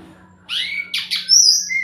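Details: Sumatran laughingthrush lure song to get a reluctant bird calling: a rising whistle, two harsh squawky notes, then a long, bright, high whistle and a shorter lower one.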